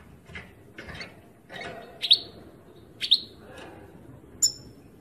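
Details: European goldfinch, recorded in 2018, giving bright high chirps. Two strong sweeping notes come about a second apart, followed by a thin ringing note near the end, over a low background hiss.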